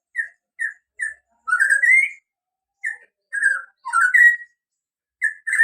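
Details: White-rumped shama in Bodas village, Karangjati, Rembang district, Purbalingga, Central Java, singing a run of short, evenly spaced whistled notes, then louder rising slurred whistles and repeated phrases, with no other clear sounds.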